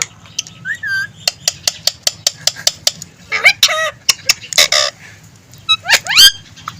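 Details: Green ring-necked parakeet kept as a talking pet, delivering a rapid, even series of clicks, then hoarse speech-like syllables and sharply rising squeaky notes near the end.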